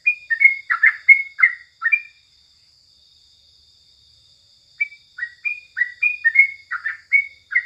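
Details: Morning song of a sooty-headed bulbul: two bursts of rapid chirpy whistled phrases, each note sliding up or down, separated by nearly three seconds of silence.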